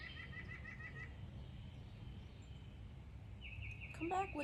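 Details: Small red-headed woodpecker squawking at a cat, dogs and a person on a patio in an Alabama backyard by suet feeders. A short chattering series opens, then a harsher drawn-out note near the end. A woman's voice calls it back.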